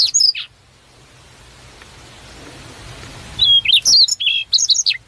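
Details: Wild prinia giving a short high twitter, a pause of about three seconds over faint hiss, then a fast run of squeaky, upslurred whistled notes.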